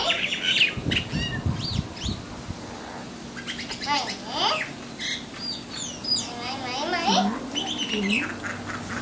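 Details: A Sri Lankan myna visiting a home doorstep runs through a noisy string of harsh squawks, chattering notes and bright whistles that rise and fall, with a few low thumps and murmurs early on.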